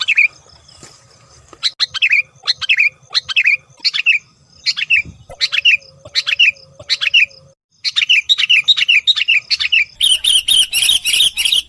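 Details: Sooty-headed bulbul lure call meant to draw in bulbuls that rarely sing: evenly spaced, dropping chirped notes roughly every half second, followed by a faster chattering series and a dense burst of high twittering at the end.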